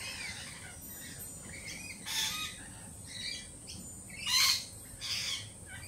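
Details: Lorikeets, jittery following a Peregrine Falcon attack earlier this week, give soft chattering notes broken by harsh broadband screeches roughly every second, the loudest about two-thirds through.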